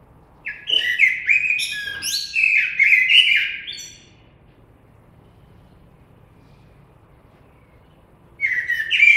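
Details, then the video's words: Common blackbird delivering a long run of fluty, warbled notes broken into two bursts with squeaky high endings, then a pause of about four seconds before another phrase starts. "Κότσυφας. Blackbird Song & Calls"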